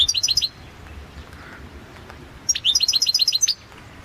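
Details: Balkan goldfinch, Carduelis carduelis balcanica, recorded for a 2022 world championship of goldfinch song: two bursts of quick, high, tinkling repeated notes, the second longer with about eight chirps, separated by a two-second pause.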